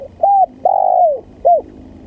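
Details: Spotted dove lure call used for trapping, very vocal: three soft cooing notes, a short arched coo, a longer drawn-out falling coo, then another short arched coo, in a quiet setting.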